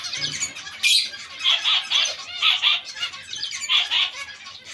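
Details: Zebra finch colony kept together with other small finches: short nasal honking calls repeated in quick pairs and runs, with a busy background of chattering birds and occasional wing flutters.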